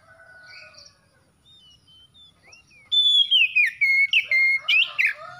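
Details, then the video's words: Loud whistled magpie-robin song from a caged bird recovering from stress: after soft background twittering, a long clear note opens a fast run of repeated sliding whistles, each dropping in pitch. "KACER SETRES MACET BUNYI LANGSUNG GACOR"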